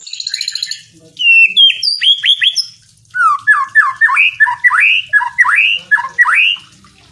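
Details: White-rumped shama song used as training material for songbirds: opens with a buzzy, rapid harsh trill, then clear whistled notes, followed by a run of loud rising-and-falling whistled phrases repeated about every half second.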